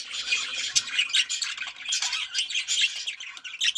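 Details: Budgerigars singing, described as mating song: dense continuous chatter of squawks, warbles and short clicks, several birds overlapping throughout.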